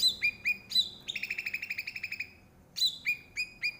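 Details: Bulbul known as cucak rante, from the forests of Aceh where it grows rare, singing an energetic tutor song: sharp high chirps, then a quick rattling run of ringing notes, a pause, and more spaced chirps.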